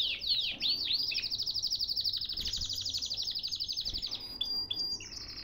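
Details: Canary in a cage in Baghdad, Iraq, opening with a few swooping notes, then holding a long, tightly pulsed buzzy trill for several seconds before closing on short chips.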